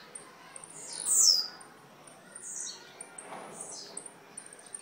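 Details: Blue-black grassquit from Jacarepaguá, Rio de Janeiro: one strong, high, buzzy downslurred phrase, followed by a fainter similar note and soft background hiss.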